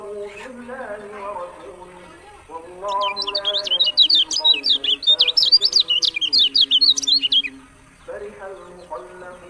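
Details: Lemon-bellied white-eye from Lombok, locally kecial kuning, in a rapid burst of high, sharp chirped and twittering notes lasting about five seconds. Lower steady harmonic tones are heard before and after it.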